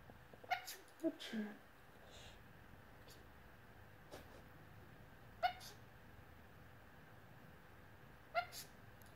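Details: Pet Australian lorikeet mimicking a human sneeze: short, sharp, breathy bursts, three close together at the start, then single sneezes about three seconds apart, over a quiet indoor background.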